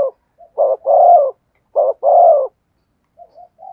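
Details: Spotted dove in the thổ sấm voice delivers two loud phrases, each a quick low hoot then a long rich coo, ending with three faint soft coos.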